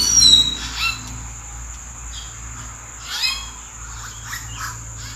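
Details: Common hill myna recorded in April, calling from treetops. A sharp whistled note opens, then scattered softer whistles and squawks, with a continuous shrill insect hum behind.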